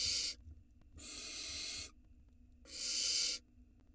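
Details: Small barn owl chick at an Israeli nest cam, 2022, eating a huge rat whole; three harsh hisses in quick succession, the middle one longest, with short silences between.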